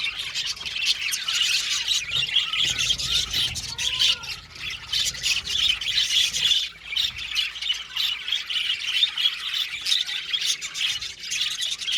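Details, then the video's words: A colony of Australian budgies in an aviary keeps up dense, continuous chirping and warbling, with squawky notes and rapid chatter layered over one another throughout. "Beautiful Budgies chirping sound | Budgies talking sound | budgies parakeet sounds"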